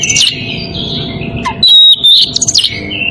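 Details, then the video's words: Breeding-condition Oriental magpie-robin calling a rival: drawn-out whistled notes, a falling slur, then loud buzzy scratchy bursts and high thin whistles. "Kacer birahi memanggil lawan"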